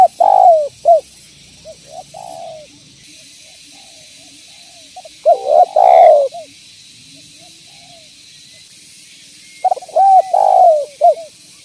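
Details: Energetic spotted dove, recorded as a lure to call other doves in, giving three cooing phrases of arched hoots and rolling notes spaced several seconds apart over a steady faint background hiss.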